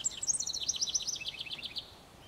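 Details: House wren song: a rapid, bubbling cascade of high chattering notes that tumbles downward in pitch, fading out after about two seconds.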